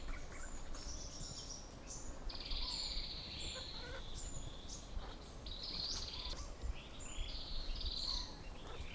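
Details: Male grey peacock-pheasant displaying to and courting a female at a forest hide in Kaeng Krachan National Park, Thailand, gives high, hissing bursts every two to three seconds, with thin chirps of other forest birds over a low background rumble.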